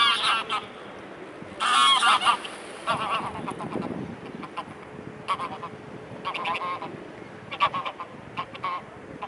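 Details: Nearly year-old female swan greeting a person in Dresden near Blaues Wunder, April 2016, showers and sun; scattered nasal honks in short clusters over a noisy background of voices and distant traffic.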